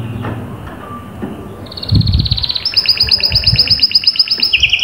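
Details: Canary song used as motivation for a silent canary: quiet low noise at first, then a fast rattling trill enters and continues at high pitch with a lower second line, soft thumps in the background.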